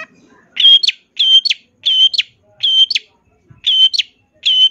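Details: Long-tailed shrike, a champion bird, giving full isian song: a steady whistled note ending in a sharp upward flick, repeated six times at even intervals, clear and loud.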